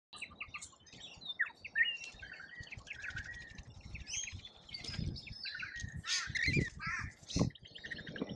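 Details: Rainbow lorikeets at a feeder in Australia, a dense overlapping chorus of harsh, screechy chattering notes and short squawks, with sharp loud shrieks near the end and some bumping and wing noise in the background.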